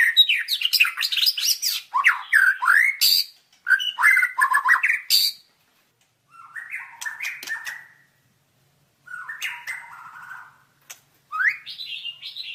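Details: White-rumped shama singing for a masteran training recording: dense, fast bursts of varied whistles and harsh chips, followed by shorter warbled phrases separated by pauses and a final rising whistle.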